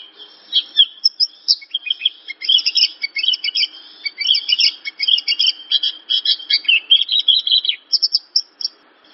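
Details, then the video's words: Javan bush lark singing a dense, jumbled medley of high chirps, warbles and short trills, notes delivered in quick clusters with brief gaps, steady and continuous throughout. "Suara burung branjangan"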